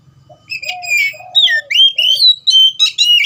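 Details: Loud, varied song of an oriental magpie-robin: a few soft lower whistles, then rapid sweeping and slurred high whistled phrases with sharp chirps, delivered in quick bursts over a faint low hum.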